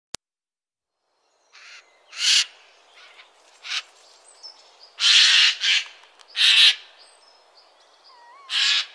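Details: Adult Eurasian jay giving loud, rasping, hoarse screeches in short bursts of about half a second, spaced irregularly over several seconds, with faint thin whistles from other birds between them.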